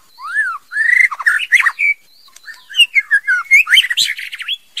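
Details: Female white-rumped shama singing: rich, varied whistled phrases sliding up and down between low and high notes, with rapid chattering bursts and short pauses, clear and close with no other sounds.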